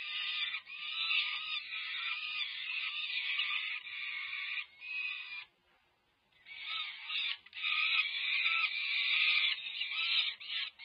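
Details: Peregrine falcon young, more than five weeks old, clamouring while being fed at a nest camera site at UC Berkeley, California, in May 2023; harsh rasping screams in long runs, a pause, then renewed loud wailing.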